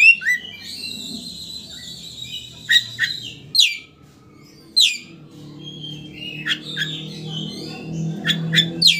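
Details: Oriental magpie-robin song meant to provoke a rival to open its tail; sustained high whistled notes, then scattered sharp descending calls and short phrases over a low hum.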